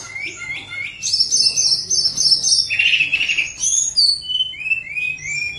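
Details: Energetic song of a lesser shortwing (tledekan gunung), a playback meant to stir lazy birds: short rising chirps, a string of very high buzzy notes, a lower rough passage, then falling whistled slurs.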